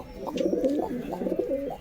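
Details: At a pigeon market in Beldanga, a domestic pigeon released from the hand gives low, rolling coos that swell and fade in quick succession.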